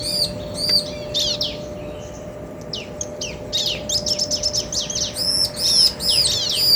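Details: A pair of bar-winged prinias, male and female, answering each other: scattered high chirps give way to a dense, rapid chatter of arched ringing notes that grows louder toward the end, with a steady background hum.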